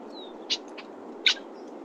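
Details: Male Red-winged Blackbird giving an alarm call at a meadow's edge by Big Bear Lake, California: two sharp, dry check notes about three-quarters of a second apart, a faint thin whistle first, over steady low hiss.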